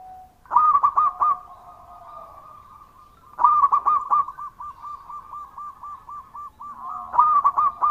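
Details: Local Indonesian zebra dove, a strong, loud singer, giving its song: bursts of low, rounded cooing notes near one pitch, the first phrase short and the second a long run of quick, evenly repeated coos. A faint steady hum sits underneath.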